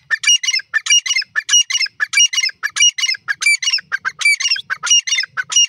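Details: Loud, harsh, rasping calls from a Grey francolin (teetar) in a steady run of clipped, squawky phrases, each made of two or three grating notes, repeated about every half second; no background sounds.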